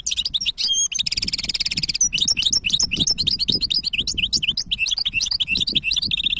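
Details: Goldfinch hybrid in continuous song: opening twitters, then a long rapid buzzy trill, followed by varied fast chirps, slurred whistles and twittering phrases without pause, with low rumble beneath.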